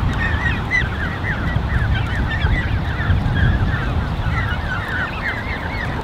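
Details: Canada goose goslings in a creche of about 34 young, recorded 13 June 2015, giving rapid, high, arched peeps that overlap constantly against a steady low rumble of wind or background noise.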